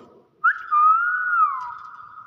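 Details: Common hill myna known for greeting guests with assalamualaikum, giving one clear whistle that rises, holds level, then drops and trails off.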